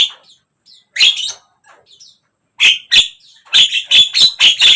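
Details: Javan myna (jalak kebo) song, played to get a silent bird to open its beak and sing: harsh, buzzy bursts, a pair near the start, then a pause, then a quickening run of five or six grating notes.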